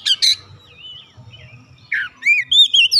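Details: Brief snatch of song from an untrained oriental magpie-robin singing vigorously: two harsh notes, a soft warbled slur, then three clear rising whistles.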